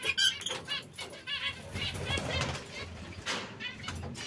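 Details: Canaries of brown, red and yellow colours give scattered short chirps, some in quick pairs, against fluttering and a continuous low hum.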